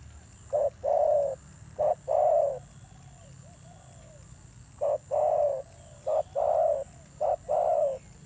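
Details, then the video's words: Newly wild-caught spotted dove with a fierce voice, cooing in short-then-long pairs. Soft, faint coos from another dove are audible in a pause before the loud series resumes. "Thổ Gù âm dữ"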